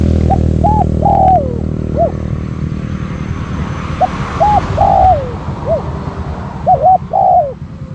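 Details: Spotted dove kept as a decoy to lure wild doves. It gives mid-pitched cooing phrases in three bursts, each a quick arched note followed by a longer, slurred, falling coo, over steady low rumbling background noise.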